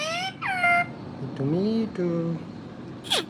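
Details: Parrot talking: a few harmonic, speech-like phrases, with a high falling note, then level and gently rising tones, ending in a sharp high squeak that drops steeply.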